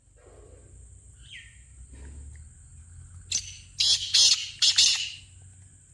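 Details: Black francolin call, played to get a captive francolin calling: after soft faint chirps, a sharp note is followed by a run of loud, harsh, buzzy rasping bursts, over a steady high whine and low hum.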